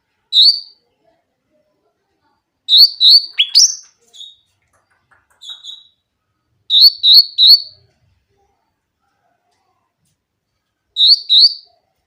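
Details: Grey-cheeked bulbul with a clear voice, used to provoke bulbuls that seldom sing. Short clusters of two or three bright whistles come several seconds apart, with one sharp descending note and a few soft single notes between.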